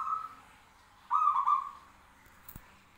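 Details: Zebra doves calling in exchange: a fading trilled note, then a loud rippling coo of under a second, followed by a brief click-like knock near the end.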